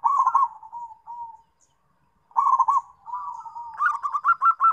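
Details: Zebra dove of a local strain calling companions: a short rolling trill fading into a soft drawn coo, silence, another bubbly trill, then a building run of quick, pulsing coos.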